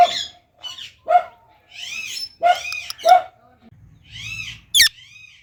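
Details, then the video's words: Talking Indian ringneck parakeet producing sharp chirps and buzzy, chattering squawks in uneven bursts, ending in one piercing high screech. "Talking Indian Ringneck Parrot Natural Sounds"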